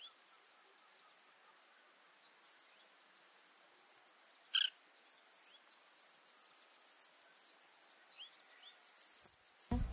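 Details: Oriental pratincole, a summer breeding visitor, in Pingtung County, Taiwan, on 1 June 2023: one sharp tern-like chirp near the middle with a few fainter chirps around it, over a steady high insect drone.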